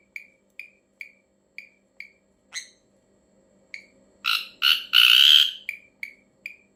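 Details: Ashy drongo giving an odd call: evenly spaced short nasal, down-slurred notes about every half second, broken by a sudden run of harsh, scratchy, buzzing bursts and a drawn-out rasp before the clipped notes resume.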